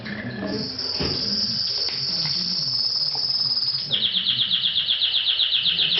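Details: Orange mosaic Isabel canary singing indoors: a long high sustained whistled note, then a fast even trill of repeated chirps, with faint low voices and room noise beneath.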